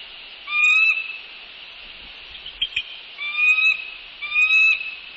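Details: Bald eagle at a northeast Florida nest on a January 2019 evening, with a newcomer adult visiting; three separate thin whistled notes, each about half a second, with a soft click between them.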